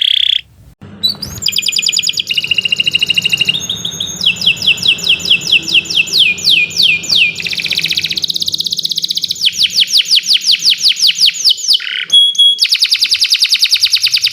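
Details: Canary song used as a training model for birds that have stopped singing: long continuous run of high trills, each section a rapid repeated note at a different pitch, shifting between buzzy rattles and clear whistled rolls, with a low hum beneath.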